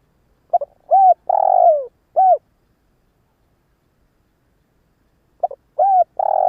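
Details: Cooing of a spotted dove used as a decoy for wild doves. A complete phrase of stuttered notes, short coo, drawn-out rolling coo and neat final coo, then silence, then the next phrase begins with its quick notes and long roll.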